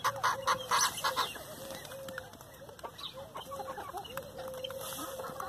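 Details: Chickens eating leftover hamburger buns give loud quick clucks at the start, then softer drawn-out tonal notes and scattered clucks, about two a second, amid pecking.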